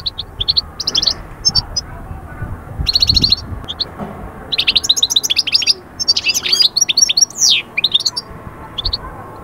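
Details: Song of a European goldfinch, used to lift birds out of the quiet moult period into summer breeding excitement: lively twittering trills and rapid chattering runs, growing denser toward the end.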